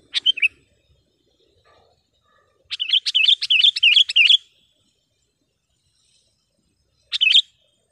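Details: Sooty-headed bulbul in lively full song, used for training caged birds and luring wild ones; bright, clear chirping notes, first a short burst, then a quick run of about a dozen rhythmic repeated notes, and a final brief burst against silence.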